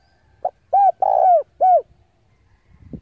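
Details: Decoy spotted dove cooing to lure rival doves in to fight: a short note, then two arched coos around a long drawn-out coo, clear and loud, with a faint low rustle at the end.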